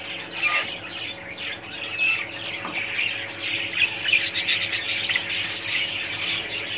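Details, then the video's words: Budgerigar colony calling together, a busy tangle of high squeaky chirps, warbles and short squawks that swells in bursts, loudest around the middle; low steady hum faintly present. "budgies parrots colony"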